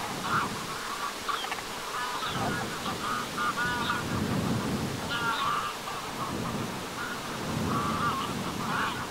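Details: Greylag geese in flight at sunset over the shore of Lake Vänern, Sweden, on 13 August 2023: a steady series of nasal honks from several birds, overlapping and repeated every second or so, over a low rumbling background.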